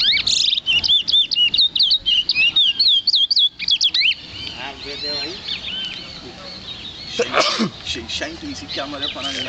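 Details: Caged lesser seed finch (towa towa) kept as a songbird at a home in Clonbrook, Guyana, January 2008. It gives a rapid run of clear, sweeping whistled notes for about four seconds. Softer chirps and background murmur follow.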